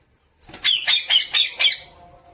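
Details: Pet parrot kept indoors, being taught to talk: five harsh, raspy squawks in quick succession, each short and loud, after a brief quiet start; room otherwise still.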